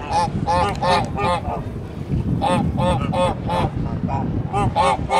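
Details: Farm flock of Kholmogory geese, 1 March 2019: loud, nasal, harmonic honks in irregular groups of two or three, overlapping calls from several birds, with a constant low rumble beneath.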